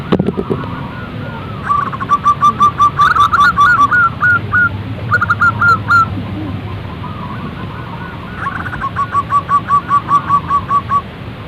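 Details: Repeated bouts of fast, clipped cooing from a zebra dove, each bout a string of brief even notes, some rising at the end, separated by short pauses, with faint high twittering.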